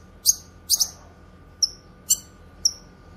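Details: Grey-cheeked Bulbul, locally cucak kinoy, used for song training and luring: a few well-spaced notes, two harsh raspy bursts followed by clean high down-slurred whistles, each about half a second apart.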